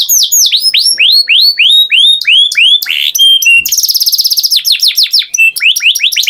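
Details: A canary pours out a loud series of downward-swooping whistled notes, a few pure held tones, then a fast rattling trill and quick rising chirps, all high-pitched and continuous.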